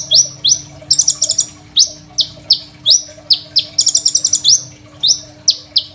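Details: High, thin Crimson sunbird song, kept as a master for teaching young birds, phone-recorded: clipped rising chips repeated fast, with two bursts of buzzy stuttered trills in between.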